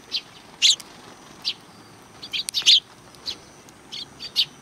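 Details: Sparrows at a Tenmangu shrine, July 2020, greeting an arrival: short bright chirps at irregular intervals, a loud pair around the middle, quieter single notes between.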